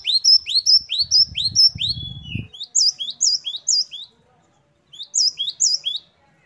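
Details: Singing great tit (gelatik batu) with rich variation: rapid high upslurred notes in a long phrase, a switch to a higher pattern, a brief silence, then another short burst. A low rumble is heard early on.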